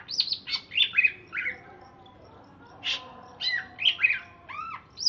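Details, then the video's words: Caged greater green leafbird of Alas Purwo origin, housed in Jatiasih, Bekasi, chattering after a bath with scratchy, varied notes, squeaky chips and arched whistles in uneven bursts separated by brief pauses. "Cucak Ijo Alas Purwo Cerewet"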